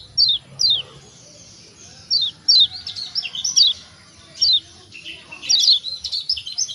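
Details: White-eye known in Lombok as kecial kuning, a call meant to set reluctant birds calling: spaced single high chirps, then tighter clusters of falling notes.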